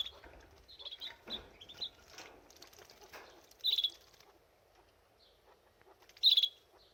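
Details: Canary at a birdbath while bathing: soft splashes and wing flutters at first, then two loud, brief, buzzy trilled bursts about two and a half seconds apart.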